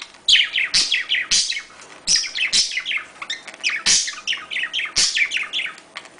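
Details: Budgerigar courtship chatter used to encourage breeding: continuous warble of rapid falling chirps, louder rasping notes about every second, and occasional clicks.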